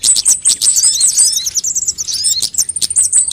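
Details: Sunbird lure recording meant to prompt birds into singing: dense, very high-pitched chattering trills and quick, upward-sliding squeaks in a continuous stream.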